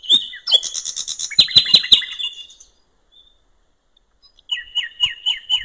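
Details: Common nightingale by a river in natural surroundings, delivering a dense phrase of high whistles and hard clicks, falling silent for about two seconds, then repeating a quick rising-falling note several times.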